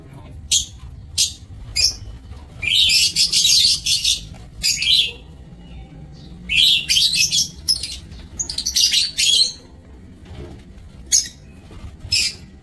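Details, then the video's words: Aviary lovebirds on 27 March 2024 giving bursts of harsh, buzzy chatter, several overlapping shrill squawks in clusters separated by short pauses, with sharp single chips between; faint low hum in the background. "Aviary Lovebirds"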